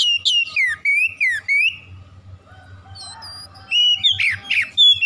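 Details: Oriental magpie-robin song played as a lure to make silent magpie-robins sing: a run of repeated looping whistled phrases, a brief quieter passage with thin notes, then sharp loud slurred whistles return, over a low hum.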